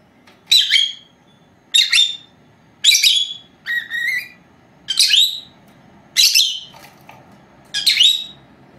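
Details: Four-month-old female lovebirds, two pets at home, during a nap, filmed by an old camera left running; seven shrill, harsh chirps about one per second, one lower, flatter whistled note in the middle.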